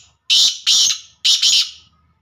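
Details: Black francolin giving three loud, grating, harsh notes in quick succession, the last one doubled, over a quiet low rumble in the background.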